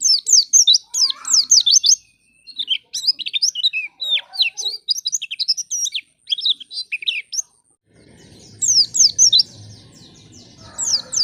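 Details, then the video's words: White-eye song used as a lure to get untrained white-eyes singing quickly: rapid high twittering of sharp down-slurred and zigzag notes in fast bursts, a short pause, then more bursts over a low hiss in the last seconds. "Pancingan Pleci Paling Handal Bikin Pleci Bahan Cepat Bunyi"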